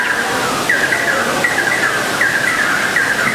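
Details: Fire-tufted barbet pair singing together, with bright falling notes repeated about every 0.75 seconds on top of a lower continuous tone and steady hiss.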